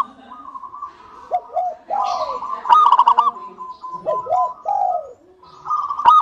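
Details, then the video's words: Local zebra dove from Indonesia, a keen singer, used to lure other doves into song: rolling, stuttered coo phrases with downward-sliding notes, some quieter passages between louder bursts, and faint higher chirps in the background. "PANCINGAN PERKUTUT LOKAL SUPER GACOR UNTUK PANCINGAN PERKUTUT AGAR CEPAT BUNYI"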